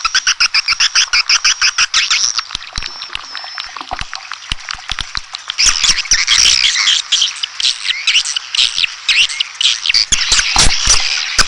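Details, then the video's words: Red-nest swiftlets: a rhythmic run of quick sharp chirps, about two a second, giving way to a louder, denser flock twitter with rasping trills. "SUARA BURUNG WALET - Royal Wellness WALET SARANG MERAH"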